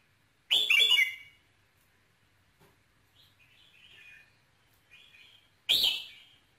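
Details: Song of a red-whiskered bulbul meant to rouse a male: two loud, ringing whistled phrases about five seconds apart, with soft twittering notes between them.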